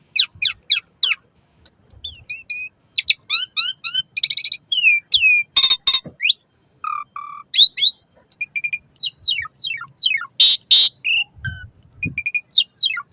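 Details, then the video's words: Asian pied starling song meant to train caged birds morning and evening: a busy stream of rapid chattering notes, harsh buzzy bursts, falling whistles and repeated sharp chips, barely pausing over the phrase. "Suara Kicau Jalak Suren"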